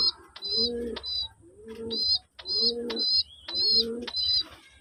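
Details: Bak or kum call of a powerful male deshi pigeon: four drawn-out, low, rolling coos in under five seconds, each paired with high, thin chirping notes from other birds nearby.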